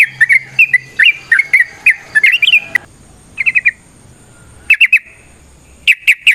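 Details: Straw-headed bulbul, a kept songbird, delivering a rapid gurgling warbled phrase, then short bursts of three or four clipped notes after quiet gaps.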